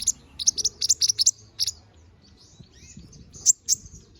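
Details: Canary in full gacor ngobra song, used as master song for training birds: high sharp chirps in quick clusters, faint twittering between, over a low background hum.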